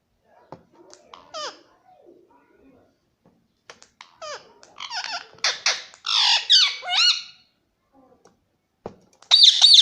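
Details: Pet Indian ringneck parakeet indoors: scattered clicks and soft chatter, then a burst of harsh, rasping squawks in the middle, quiet again, and a loud shrill screech at the close.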